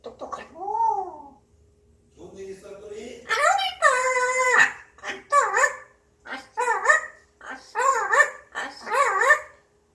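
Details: Pet grey parrot in a good mood humming alone indoors: rising-falling tonal phrases, a long buzzy harmonic note, then a series of repeated wavering whoop-like notes about once a second.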